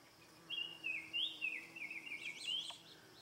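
A Rose-breasted Grosbeak sings a rich, warbled phrase of quick, rolling notes, like a fast, sweeter robin. Brief higher chirps join near the end over soft background hiss.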